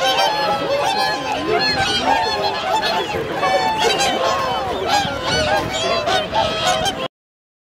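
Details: Wintering swans on Lake Hyoko, Agano City, Niigata, on 8 January 2022, 2628 counted. Busy, overlapping trumpet-like honks and some lower wavering calls for about seven seconds, then silence.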